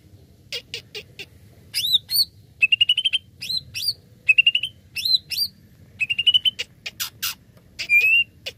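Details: Greater green leafbird lure song meant to start other birds singing: looping upslurred whistles alternating with buzzy rising trills, interspersed with sharp clicks and chattering notes.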